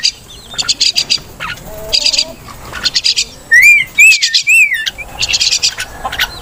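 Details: Crested myna, locally called martinez, giving bursts of harsh, rapid clicking chatter in short groups, with several loud wavering whistled notes rising and falling near the middle.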